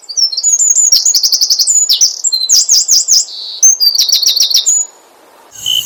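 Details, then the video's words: Asian brown flycatcher singing, used to lure other birds into song: a busy run of high chirps and fast repeated-note trills with zigzag phrases, ending in a brief pause and a faint final note. "SUARA BURUNG SIKATAN LONDO ,MEMANCING SEMUA BURUNG GACOR"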